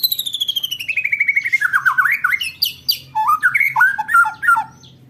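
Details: White-rumped shama in roll tembak style, recorded as training material for contest birds: a fast, evenly pulsed run of notes slowly falling in pitch, then loud jumpy whistled phrases.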